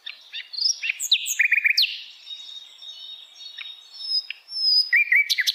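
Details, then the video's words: ['Flycatcher in wild forest delivering a jumble of high chirps and quick slurred notes, a thin sustained high tone through the middle, then a bright burst of rapid chips.'] "kicauan Sikatan Londo Dialam Hutan Liar"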